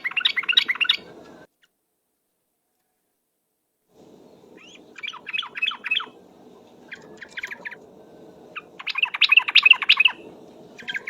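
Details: Rapid ropel song of a yellow-vented bulbul used as a lure: dense chattering bursts separated by pauses, including one clean silent gap, and the busiest, loudest run near the end.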